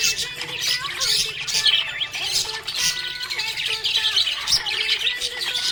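A budgerigar chatters in quick, high chirps and squeaky warbles, with a song playing underneath.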